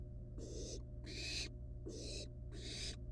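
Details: Barn owl nestlings, wild, at the nest with live rat prey they toy with before eating; four rough, drawn-out hissing screeches in quick succession, each under half a second, over a faint steady hum.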